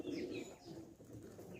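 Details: Sick pet pigeon kept as a hobby bird: a short, low, soft cooing phrase in the first half-second, then quieter murmuring with faint background noise.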